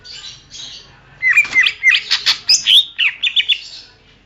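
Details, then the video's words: Greater green leafbird song for training songbirds: soft hiss, then a burst of loud mixed chirps, sharp clicks and bright whistled slurs, about a dozen notes in quick succession before fading. "masteran suara burung cucak ijo"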